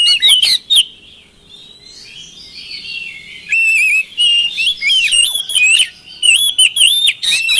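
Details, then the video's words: Oriental magpie-robin lure song: a few sharp whistled notes, a quiet gap with faint chatter, then renewed bursts of loud twisting whistles and chirps. "pancingan kacer malas bunyi mudah ikut nyaut gacor"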